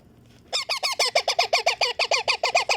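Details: Pet baby Indian ringneck parakeet begging during feeding, a steady run of loud, raspy, nasal honking notes repeated evenly about five times a second.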